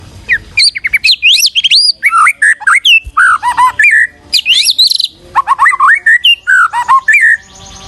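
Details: White-rumped shama used as a master song for training other birds: rapid varied whistles, sweeping rising and falling notes and sharp chips in quick bursts, with short pauses between phrases.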